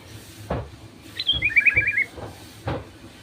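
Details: Sooty-headed bulbul song played to draw other bulbuls into singing: one rapid phrase of about six bubbly notes, starting high and stepping down, framed by dull knocking clicks.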